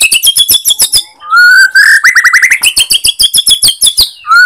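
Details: White-rumped shama, Borneo type, singing to stir up other shamas. Evenly spaced rapid chips, then a long fluty whistle and a quick run of rising slurred notes, followed by more steady chipping.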